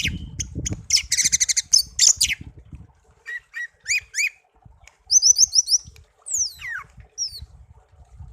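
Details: Pet songbird taken from a garden as a youngster, singing a dense rattle, paired chirps, a run of rising whistled notes and a long descending slur, with low knocking sounds in the background.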